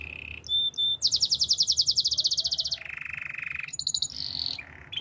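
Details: Canary singing a varied song: clear high notes, a loud rapid bubbling trill, a lower steady trill and quick buzzy phrases.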